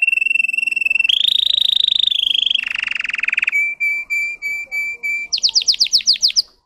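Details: Russian song canary runs through a fast rolling trill, a deeper roll, measured pure whistles about three per second, then a brisk burst of high falling notes.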